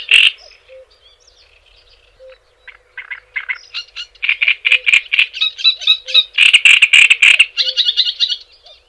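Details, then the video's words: Java sparrow song: a loud opening note, sparse soft clicks, then a quickening run of dry clucking notes at mid pitch building to dense tinkling bursts and short whistled hooks near the end. "Suara Ocehan Burung GELATIK JAWA Untuk Pancingan Dan Masteran"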